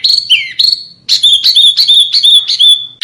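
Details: High whistled notes from a small bird, used as master training audio for contest songbirds: a few slurred whistles dipping and rising, then a rhythmic series of clear, level whistles with short buzzy attacks, about three per second.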